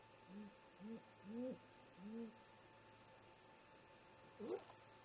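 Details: At dawn, around 04:25 MDT in July, great grey owl parents talk near a snag nest: four short, low hoots in quick succession, then a pause and a brief sharper, higher note.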